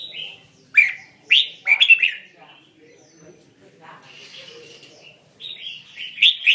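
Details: Red-whiskered bulbul in tạp giọng Songkon mixed-voice song: sharp, bright chirped notes in quick pairs and triplets, a quiet pause with soft warbling, then another run of chirps at the end.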